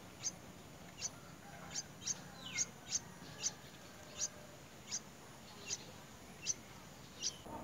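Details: White-browed bird at the nest, bringing a very large insect to feed its young; sharp, very high, thin chirps repeat roughly every half to one second, about a dozen in all, over a faint steady background hiss.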